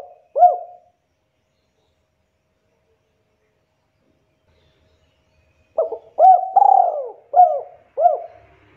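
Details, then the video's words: Spotted dove cooing, played as a lure to prompt young birds to call readily: a lone short coo, a long pause, then a full phrase of five mellow coos with a longer rolling middle note, on a quiet background. "Pancingan Suara Burung Tekukur Deruk Bahan Macet Muda Agar Cepat Bunyi dan Gacor"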